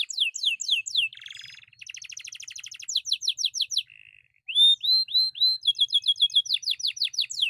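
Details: Atlantic canary song for prompting silent birds and tutoring: downward swept notes, a low buzzy rattle, a fast rolled trill, pure whistles, then quick repeated chirps at nearly four per second.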